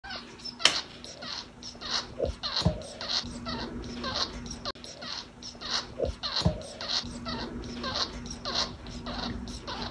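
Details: Pet male budgerigar in Tulsa, Oklahoma, 3 February 2022, making strange rapid, scratchy chirps about twice a second, with a low steady hum and a few soft thumps behind.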